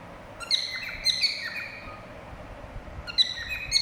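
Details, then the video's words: Cockatiels give bright, clear whistled notes in three quick bursts, some flat and some rising, overlapping as if two birds call together, over faint background hiss. "Cocktail birds whistling sound"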